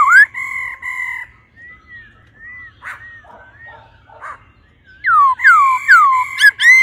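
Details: Female laughingthrush stimulating the male: steady held harmonic notes, softer falling whistles in the middle, then loud sweeping whistles repeated rapidly at the end.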